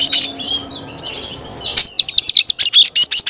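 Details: Oriental magpie-robin: a blurred jumble of notes followed by a crisp run of rapid repeated sharp notes, about ten in quick succession.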